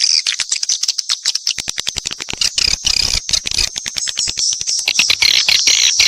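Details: Mixed swiftlet calls: a dense chatter of high, buzzy chirps with rapid dry clicks running through, the clicks coming in irregular bursts of about four a second.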